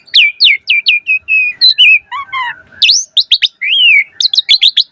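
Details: Asian pied starling singing, used as a lure to prompt starlings: series of falling chirped whistles, low warbled notes, sharp upswept chirps and a slurred arched whistle, in a rapid lively sequence.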